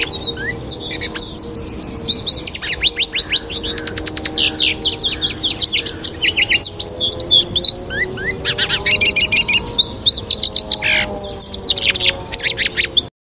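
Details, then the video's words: Lawrence's goldfinch song of fast, sharp, high notes repeated in rapid series, with buzzy rattling trills and sweeping whistles, over a faint low steady hum. "O canto do Pintassilgo Lawrence ( Spinus Lawrencei )"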